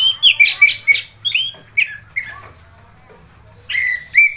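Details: Orange-headed thrush singing persistently, a kept songbird: short clear whistled phrases, slurred and varied, some rising, several quick notes then a pause, a thin high whistle, and a final loud whistled phrase.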